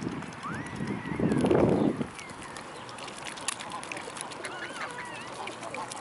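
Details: Mute swans in a large flock at the Blaues Wunder, 25 May 2016, mid-afternoon; a loud, rough nasal burst lasting about a second, with thin rising whistled calls above and a steady background hiss of water.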